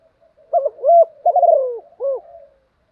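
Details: Captive spotted dove decoy, kept singing all day to stir up newly caught birds, giving a low, soft, hollow cooing phrase of several linked notes.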